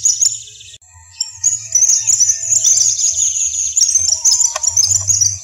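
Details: Western yellow wagtail, locally "corre caminos", in savanna country at Corozal, Sucre, Colombia. A short burst of high chirps, then a brief lull, then a dense, rapid chatter of thin overlapping tweets continuing to the end.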